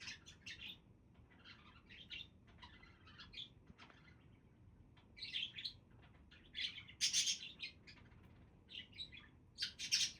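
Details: Budgerigars calling: soft scattered chirps at first, then louder clusters of harsh, high-pitched squeaks and chattering warbles in the second half, over faint background hum.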